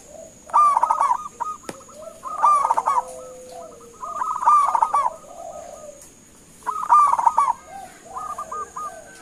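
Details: Local zebra dove, a vigorous caller, used as a lure to make other doves answer: repeated loud bursts of rapid bubbling coos, each followed by a softer trailing series of clipped notes, over a steady high whine.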